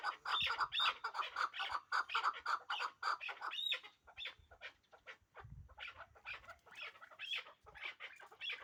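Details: Hybrid chukar partridges, a breeding pair, with a rapid string of clucking chuk notes, a brief pause near the middle, then a looser, slightly softer run of similar calls.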